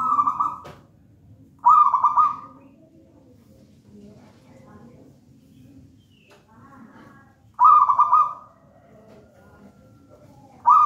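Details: Wild-caught local zebra dove from a raja banana plant nest, singing vigorously: four short trilled coo bursts, two close together early and two later, with long quiet stretches of faint low sound between.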